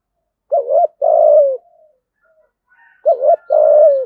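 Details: Spotted dove giving a fight-provoking lure call: two matching phrases, each a wavering double coo followed by a long mellow purr that drops slightly at the end, with faint thin whistles from another bird between them.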